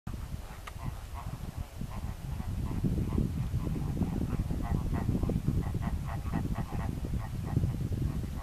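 Greater flamingos give a steady stream of goose-like honking and gabbling calls, many overlapping, over a low rumble of wind or distant noise.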